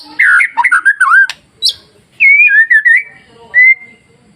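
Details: White-rumped shama masteran song used to stir other shamas into singing: rich warbled whistles in quick bursts, a short buzzy note, then fluty rising phrases ending in one long, steady whistle.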